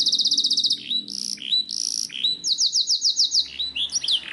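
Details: Black-throated canary, kept as a pet, delivering a lively song that opens with a rapid high trill, then slurred whistled swoops, another fast run of repeated notes and closing twittering phrases.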